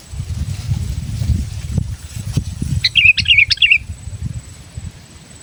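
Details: Bulbul song for trapping wild sooty-headed bulbuls: one short burst of quick, bubbly whistled notes heard midway, set against a steady low rumble and rustling background noise.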